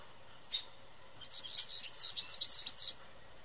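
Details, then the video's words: In a yard tree in spring, an American Goldfinch, likely giving a mating song, sings a quick run of high, bright twittering notes, about four a second, after one lone opening chirp, over faint background hiss. "American Goldfinch Singing Loudly"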